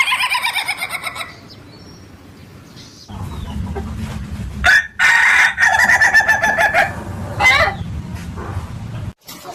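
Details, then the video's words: Ayam Ketawa chicken giving a quick pulsed laughing crow that fades, a low rumbling background, then a louder, rougher stretch of rapid stuttering crow notes, ending abruptly. "Suara Kokok Ayam Ketawa yang Lucu dan Unik"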